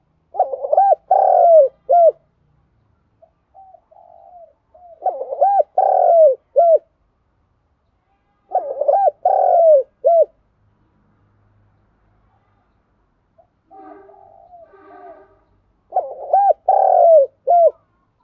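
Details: Morning cooing of a spotted dove: four deep, hollow phrases of several quick coos ending in a drawn-out note, spaced about four seconds apart, with faint softer calls between them.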